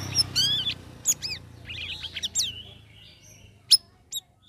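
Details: Sooty-headed bulbul, kept as a cage bird, in its third week of training with ombyokan care, singing varied chirps and quick whistled notes, some sweeping and rising, others sharp and clipped, with a faint low hum behind them.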